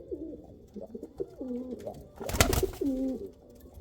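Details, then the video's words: Kal Cheeni and Rampuri pigeons give a series of low, bubbling coos, broken midway by a sharp loud knock or bang, followed by a clear drawn-out coo phrase. "Pigeon sound | kal cheeni kabutar sound | Rampuri kabutar sound"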